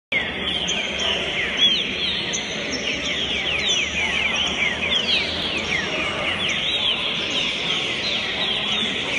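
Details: A three-year-old green-winged saltator in Santa Catarina sings busy runs of quick, downward-slurred notes, with higher thin whistles from other birds and a faint low hum.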